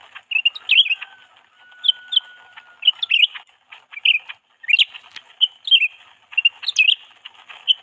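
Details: Canary kept as a lure bird to attract others of its kind, giving bright, sharp upswept chirps and short twittering phrases in scattered bursts every second or so, with brief quiet gaps between.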